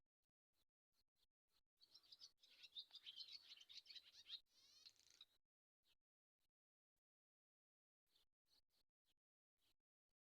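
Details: Scattered faint high chips, then a louder burst of dense twittering chatter with a buzzy trill near its end, returning afterwards to sparse quiet chips.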